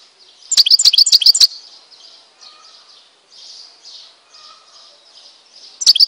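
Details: Algerian European goldfinch from Tizi Ouzou gives a short, rapid burst of high metallic notes, followed by quiet, soft, hissy warbling and a final abrupt high trill at the end.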